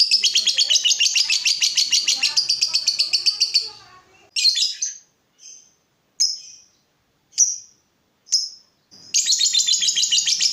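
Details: Lovebird singing energetically, meant as a model for training other birds: fast buzzy chatter for about four seconds, then a few separate sharp chirps with short silences, before the rapid chatter resumes.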